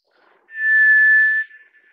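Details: A single sustained, even-pitched whistle from a White's thrush, about a second long, preceded by a few soft low notes.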